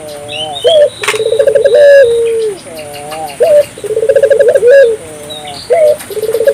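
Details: African collared dove calling hard to set off local doves: short hooked notes alternate with bubbling trilled coos that end in a long descending tone, repeating in irregular bouts, with small birds twittering faintly above.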